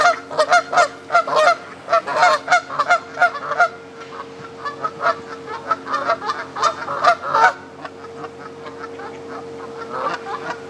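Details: Canada geese on a pond in Midhurst, West Sussex, England, giving dense bursts of nasal honks, several birds calling over one another in rapid overlapping series, easing off after about seven seconds, then a final short burst; a steady low hum underneath.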